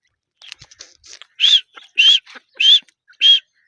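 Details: Teetar, the grey francolin, giving four loud, high, slightly arched whistled notes evenly spaced about half a second apart, preceded by softer clicks and short chips.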